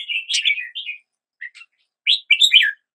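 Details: A red-whiskered bulbul gives a slurred, liquid warble, then two short chirps and a final bright phrase, with a clean silent background.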